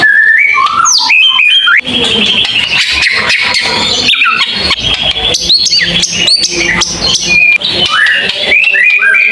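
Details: Long tembakan panjang bursts from a white-rumped shama: strong, continuous medley of clear whistles, sharp rising sweeps, harsh chattering notes and high flicks, delivered loudly with hardly a break.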